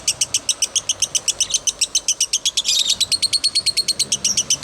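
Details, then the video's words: A lovebird delivers nonstop 'konslet' chatter for a master recording: rapid piercing chirps in an even pulse, with a brief denser, blurred burst near the middle. "Masteran Love bird konslet"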